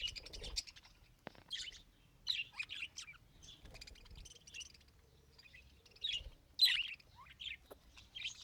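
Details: Pet budgerigar attempting to talk: scattered high chirps, clicks and scratchy warbles across several seconds, with a sharp tap and low thumps early on and quiet pauses between the phrases.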